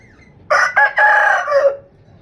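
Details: Rooster crowing: one loud, harsh cock-a-doodle-doo with two short clipped opening notes and a longer drawn-out ending that trails off lower.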